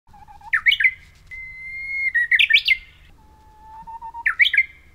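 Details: Bush warbler singing on Oeyeondo island, Boryeong, South Chungcheong, South Korea, on 3 May 2023: a low held whistle bursts into a quick rising-falling flourish, then a long steady higher whistle, another flourish, a low whistle, and a third flourish.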